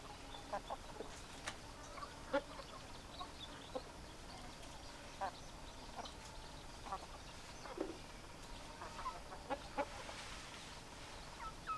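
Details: Domestic hens and roosters: scattered short, sharp clucks from several birds across a steady background hiss, spaced irregularly every second or so, none especially loud.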